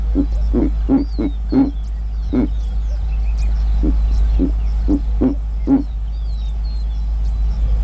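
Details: Giant eagle-owl in Kruger National Park giving deep, low grunting hoots in an uneven series, about eleven short pulses over eight seconds, with faint high chirps of small birds and a steady low hum behind.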